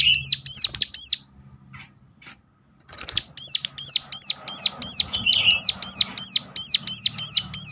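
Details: Sunda warbler's sharp luring call, meant to prompt other Sunda warblers to sing: a few high arched notes, a quiet pause, then a long steady string of the same notes over low hum.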